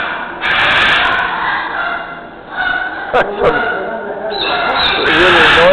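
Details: A macaw in a pen at Parrot Island Sanctuary, Peachland, in late summer (September 8, 2012), gives long, harsh, raspy squawks, one near the start and one at the end, with a man talking in between; among noisy endangered parrots, some captive-born.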